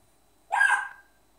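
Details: African grey parrot kept as a pet imitating its owner's hiccups: one short, abrupt, hoarse hiccup-like yelp lasting about half a second in otherwise quiet surroundings.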